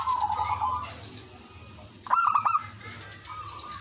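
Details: Zebra dove, a village lure bird singing to draw other doves into answering: a fading rolling coo at the start, then a loud burst of quick staccato notes running into a short trilled coo.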